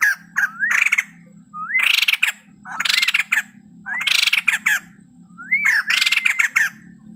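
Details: Singing male white-crested laughingthrush: repeated phrases of a rising whistle and harsh, dense chatter, five or six bursts in quick succession, with a steady low hum in the background.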